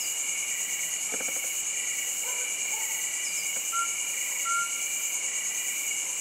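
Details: Mountain scops owl in Lansdowne, Uttarakhand, giving brief level whistles, two notes less than a second apart near the end, beneath dense shrill insect trilling and a few faint clicks.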